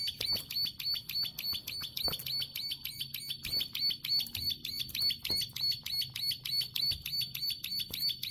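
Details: Long clicking song of a plain prinia, a fast, regular series of dry, high-pitched clicks repeated roughly three times a second without pause, over a quiet low background hum.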